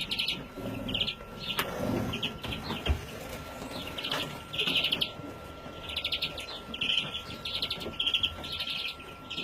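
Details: Young European greenfinch recorded in 2017, giving bursts of rapid, buzzy chirping notes roughly every one to two seconds, with a steady faint tone running beneath and low background rumble.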